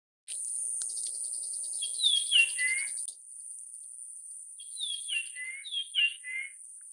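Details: Japanese grosbeak giving clear whistled phrases of several notes that slide downward, one short phrase near the middle and a longer one toward the end, over a steady high-pitched drone.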